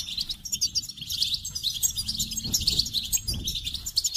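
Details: Continuous goldfinch song: bright twittering, chattering phrases with rapid high notes and brief buzzy elements, running without pause over faint low hum.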